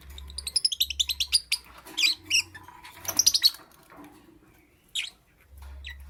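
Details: A lovebird in the morning opens with a fast run of about ten evenly repeated high chirps, then gives denser chattering bursts and one isolated squeak, over a low background hum.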